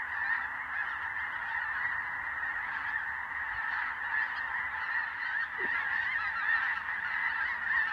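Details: A great flock of snow geese, snows and blues, on the ground and migrating at dusk. Relentless layered yelping honks overlap into a continuous wall of noise, with individual calls swelling now and then.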